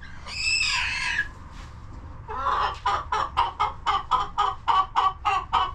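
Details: Hens in a homestead coop: a loud, drawn-out harmonic squawk lasting about a second, a short pause, then a quick, even series of short clucks repeated several times per second until the end.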